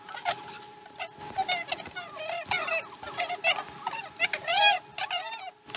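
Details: Osprey calling at its Chesapeake nest during a slow morning feeding, recorded 2019 12 12: loud, rapid series of shrill whistled chirps, many arched and stacked, pouring out almost without pause, with a faint steady hum behind.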